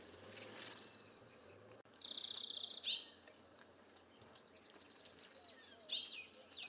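Cedar Waxwings give very high, thin, hissing seee notes and faint trills in quick series, with lower chirps from another bird and soft background noise.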